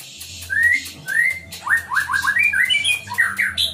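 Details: Captive-bred White-rumped shama from a breeder in Tambakromo, Pati, Central Java, singing loud, rising whistles, then a quick run of about eight upslurred notes climbing in pitch, all over a faint low hum.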